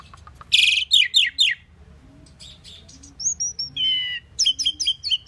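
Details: Common pied myna opening with a loud grating rasp and falling chirps, then soft whistles and a clear level note, ending in a fast string of crisp, repeated chirrups.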